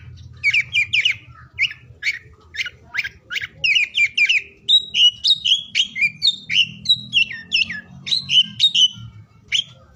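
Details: Oriental magpie-robin singing, used to spur mute or lazy magpie-robins into song: a long run of quick sweet whistles and scratchy chips, dense varied phrases with short pauses, clear and loud throughout.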